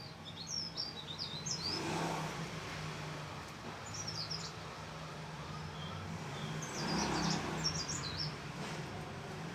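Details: Mountain leaf warbler giving brief high, twittering song phrases of rapid thin notes, separated by a long pause, against steady low rumbling traffic-like noise.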